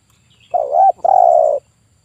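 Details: Spotted dove, a male of the 'kuk 1' style kept to lure and trap wild birds, giving one low cooing phrase: a brief wavering note, a tiny gap, then a longer steady hoarse coo.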